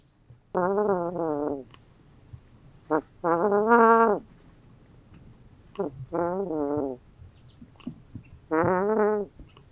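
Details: Young Roman Tufted goose, feathers not fully grown, kept indoors in a tub at night with two ducks, snoring in its sleep: nasal, buzzy, harmonic drawn-out notes, four long snores with pauses between them.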